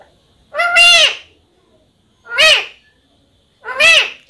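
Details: Pet parrot in a Hindi-speaking home, shown as a talking bird: three loud harsh calls, each about half a second long with rich stacked harmonics, spaced roughly 1.5 seconds apart in a quiet room.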